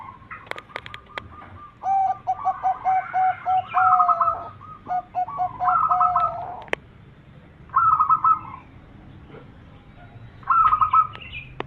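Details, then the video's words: Local Indonesian zebra dove, a lure singer kept to set other zebra doves singing, giving bursts of rapid trilled cooing phrases, each a quick run of repeated notes ending in rolled flourishes, separated by pauses. "Perkutut lokal gacor RAJA PIKAT ini bikin semua burung perkutut gacor nyaut"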